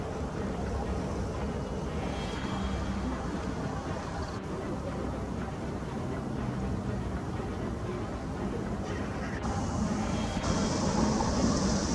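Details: Low, steady rumble of traffic or machinery with faint background murmur and no clear animal calls.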